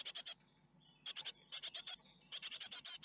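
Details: Nestling great tits begging during a spider feeding at an Ostwald nest box webcam, 12 May 2021: three short clusters of shrill, rapid chirps separated by brief quieter gaps, over low muffled nest rustling.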